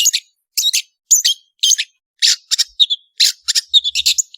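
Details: Long-tailed shrike (cendet) singing energetically, recorded to train songbirds: harsh, high, scratchy chirps in irregular groups of one to three, about two per second, ending in a quicker jumbled run.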